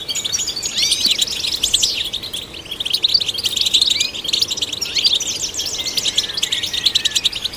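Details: European goldfinch singing to stimulate goldfinches, lively tumbling twitters mixed with curving whistled slurs and buzzy rattles, flowing without break across the whole passage.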